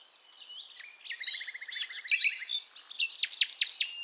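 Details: Sikatan londo nightingale of Javan forest, a female calling males, used to lure young birds. Soft warbling build-up, a rapid even trill, then loud sharp down-slurred notes repeated about every third of a second.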